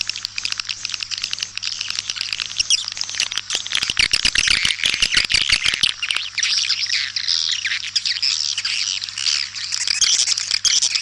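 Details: Lure call of the white-nest swiftlet, tested in East Kalimantan, for swiftlet houses: unbroken high-pitched chattering and buzzy twitters, growing denser midway, over a steady low hum.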